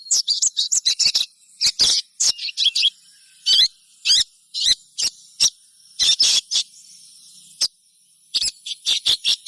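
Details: Sogon chirps, a prompting sound for other birds of its kind: quick flurries of thin, high chips and short trills, alternating busy stretches with brief pauses, a level high hiss throughout.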